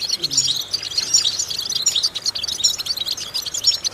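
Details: Goldfinch song, used as a training exercise for goldfinches: rapid, high, tinkling twitter with short chirps and buzzy slurs throughout, and a faint low sound near the start.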